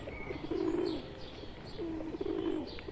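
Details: Two drawn-out, low purring coos, each about half a second, from pigeons in India where a pet bird has joined wild ones; a thin high whistle and distant chirps sit behind.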